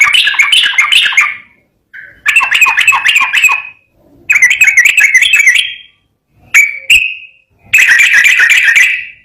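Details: Singing Yellow-vented bulbul in the lively 'ropel garuda' style: four quick-fire phrases of rapid, rolling, wavering notes, each about a second or more long, with a pair of clipped chips between the third and fourth.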